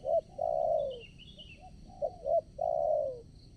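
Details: Spotted dove kept as a decoy for trapping wild doves, calling at a new site: a brief coo, then a long falling coo, a pair of short notes and another long descending coo; a small bird twitters faintly over constant insect hum.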